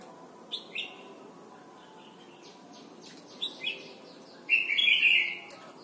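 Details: Red-whiskered bulbul, Thailand, singing as a model for young birds: scattered short whistled notes building to a long, loud, rich warbled phrase at the close.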